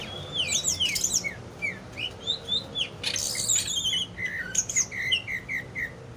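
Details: Greater green leafbird (cucak ijo) in captivity giving a rich, varied song: rapid high twittering and downslurred whistles, a buzzy burst midway, then a run of short repeated whistled notes at steady pace.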